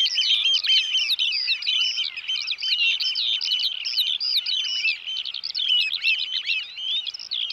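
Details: Eurasian oystercatchers, a familiar sound in the Netherlands and strongly territorial birds, pipe loudly and without pause: shrill ringing 'kleep' notes tumbling over one another in a fast, excited stream.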